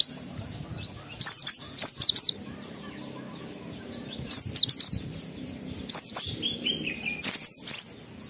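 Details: Oriental white-eye singing to stir up rival white-eyes, delivering short, very high, rapidly twisting warbled phrases about every one to two seconds, with a faint falling chirp series near the end.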